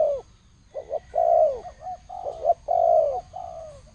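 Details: Thổ sấm style cooing of a spotted dove: a continuous run of low hooting notes, several stretched into long falling coos, delivered in a steady, close-up series.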